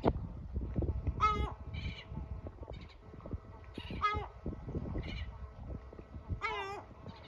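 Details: Male yellow-legged gull screeching at its chicks until they go into shelter, after feeding them: three harsh, drawn-out cries with strong harmonics, each roughly a second apart in pairs, over low rumbling background noise and faint shorter squeaks.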